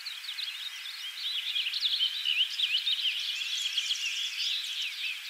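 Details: Purple finch (Haemorhous purpureus) singing a rapid, rich warble of tumbling, slurred notes, continuous between mid and high pitch; Naubinway, Michigan, USA, 25 May 2023.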